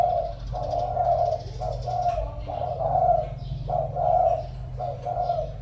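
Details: Decoy spotted dove with a 'giọng thổ' voice giving repeated soft, hooting coo phrases, each about a second long with short gaps, over a constant low background hum.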